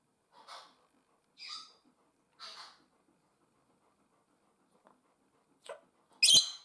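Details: Two house-kept African grey parrots, soft raspy calls at one-second intervals, then a pause and a loud harsh screech at the end.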